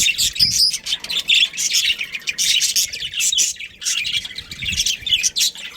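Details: Pet budgerigars of a breeding pair keep up busy, scratchy chirping and warbling in rapid overlapping bursts, sharp high notes standing out now and then, light low knocks in the background.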